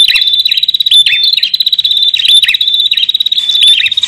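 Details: Male and female bar-winged prinia calling together, used to lure wild birds; dense, high, rapid chattering notes repeated without pause, with quick dips and sharp upward flicks running through the whole stretch.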